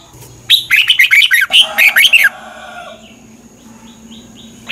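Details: Red-whiskered bulbul song from Thailand, played to train birds or excite them: one loud phrase of about eight quick, warbled, whistled notes rising and falling, followed by quieter trailing notes and a fresh phrase starting at the end.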